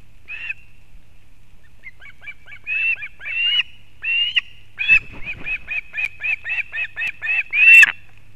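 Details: At a Latvian osprey nest in Kurzeme, 31 August 2024, the mother arrives with fish for the chick: scattered whistled yelps build into a steady series of about a dozen evenly spaced piping chirps ending in a louder squeal.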